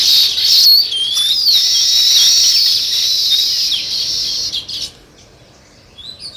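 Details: A chorus of sparrows, described as weaver birds, gives loud, steady high chirping for nearly five seconds, with a few clear whistled notes, before dropping away to near quiet with scattered faint calls.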